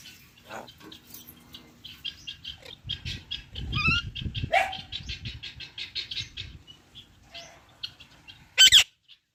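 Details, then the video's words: Pet parrots chirping loudly: a quick run of short, high, evenly spaced chirp notes through the middle, a few lower rough sounds, and a single piercing harsh squawk near the end. "Parrot Natural chirping sounds |parrot chirping sound | Parrot calling sounds |loud parrot chirping"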